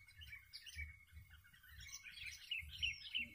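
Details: Sooty-headed bulbul in a lure-bird fighting contest giving bright, chirpy, bubbling phrases in quick succession, over a low rhythmic thumping in the background.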